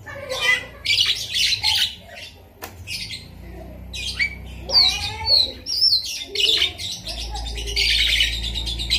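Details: Kept Javan myna delivering lovebird-imitating song: rapid scratchy chattering bursts repeated nearly twice a second, with sharp whistled notes midway and a steady low hum underneath.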